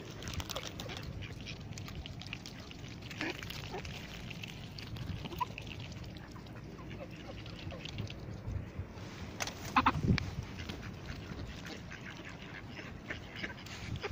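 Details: Geese, ducks and swans feeding on maize in a park in Palencia give mixed honks and quacks at an uneven pace over a steady low rumble of noise, with some human voices in the background.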